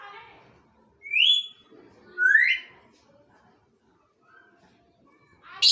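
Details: Two upward-sweeping whistles from a bonded pair of African grey parrots, about a second apart, each rising sharply in pitch, followed by a faint short note and a brief harsh burst at the end.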